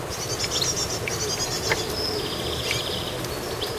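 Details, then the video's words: Goldfinch active and chirping: thin, high twittering phrases and short tinkling notes run through the whole stretch over a steady hiss of background noise. "Goldfinch Activity with beautiful Chirping"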